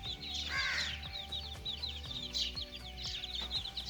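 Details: Little chicken chicks at play, giving a dense chorus of short, high, downslurred peeps that repeat rapidly over steady background music with a low pulsing beat.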